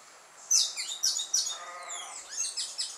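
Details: Carib grackle in Martinique at dusk: three loud, high, squeaky chirps at even intervals, then a quieter tumbling run of thin whistles and chatter.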